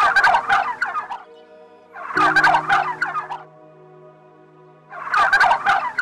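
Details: Turkey (Meleagris gallopavo), gobble.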